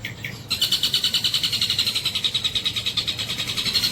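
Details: Long-tailed shrike in full song, mimicking the tengkek buto kingfisher: after two short notes, a fast buzzy rattle of harsh high notes runs steadily at about eight per second, with a faint low hum behind.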